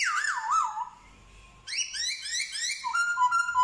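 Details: Black-throated laughingthrush imitating dogs, cats and chickens in song. It opens with a wavering, trilled whistle and a long steady tone, then a burst of rapid rising harmonic notes, then short flat whistled notes.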